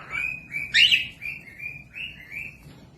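A cockatiel gives a run of sustained, slightly warbling whistles, dipping and rising, with one louder harsh chirp near the start; faint low background hum.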